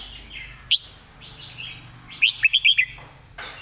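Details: Red-whiskered bulbul, a caged bird, gives its master song for training other birds: one sharp whistled note, quiet chattering warble, then four rapid loud liquid notes and a final short call.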